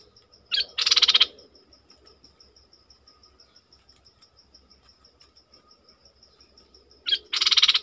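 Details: A Streak-eared Bulbul, a kept song bird set against wild birds on 20 March 2022, gives two brief bursts of harsh, chattering notes about six seconds apart, over a steady high pulsing insect trill.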